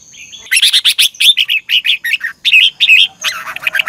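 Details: A red-whiskered bulbul sings in the morning, a 'ché căng lửa' double-twisting voice used as a lure for training birds: an unbroken run of around fifteen fast, sharp chirps and slurred whistles, ending in a scratchier phrase.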